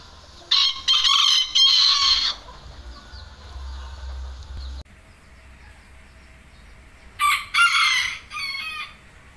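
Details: A male bantam rooster at a workshop in Bandung, Indonesia, gives two shrill, broken crows separated by a few seconds of quiet.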